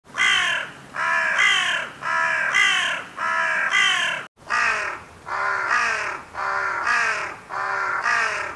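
A crow gives harsh, hoarse caws in a steady run, about one every two-thirds of a second, with a short break midway; nothing else is heard.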